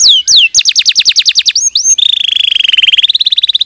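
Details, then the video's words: Training song of a canary for other canaries, clear and loud: sweeping whistles, then a rapid series of descending chirps, ending in a long, even, pulsing trill. "Masteran Kenari 100% Suara Jernih"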